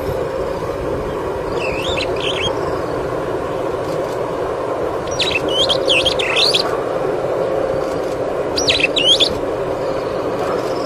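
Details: A superb starling seen on a webcam. Three bursts of twittering, up-and-down whistled chirps come several seconds apart, each lasting about a second, against a steady roaring background noise.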